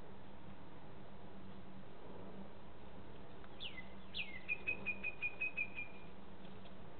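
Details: Lesser kestrel pair at the nest in March, the male entering with prey and insisting on offering it while the female lays her second egg. Two downward-slurred calls are followed by a quick run of about seven short, even notes over a steady low hum.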